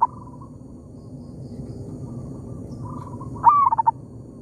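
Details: Zebra dove in an oil palm plantation answering a decoy bird: soft faraway cooing for several seconds, then one loud whistled phrase ending in a fast stuttering run of notes.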